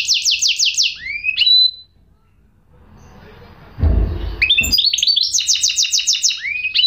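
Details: A goldfinch hybrid sings fast buzzy trills and rising slurred whistles, broken by a quiet gap with a brief low thump, then repeats its trilled phrases and upward slurs.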